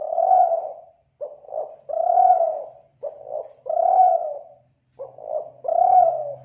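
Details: Spotted dove from Kelantan, recorded to lure doves: regular low coo phrases, clipped notes followed by a long drawn coo, repeated about every two seconds over a faint low hum.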